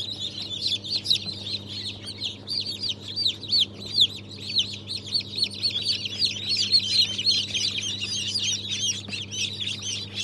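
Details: Newly hatched chicks, Brahma, Fizan, Australorp and Legbar breeds, hatched 3 March 2023, calling in loud, shrill, down-slurred peeps repeated rapidly by many birds at once, the chorus swelling and easing, low hum behind.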